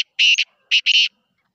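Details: Black francolin of the Sindhi breed, recorded on 1 February 2024, gives harsh, buzzy bursts: a doubled note, a short pause, then two more in quick succession, all within about one second against an otherwise quiet background.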